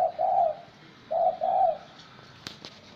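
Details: Spotted dove, a wild-caught bird kept caged for 80 days, giving soft, low hollow coos in short two-part phrases about a second apart; a faint click follows.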